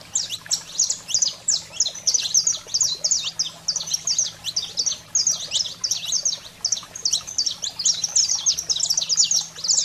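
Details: Saffron finch delivering a fierce, high 'fogo selvagem' song to excite caged birds: rapid chirps and steep slurred notes packed densely throughout nearly ten seconds, with a steady low hum in the background.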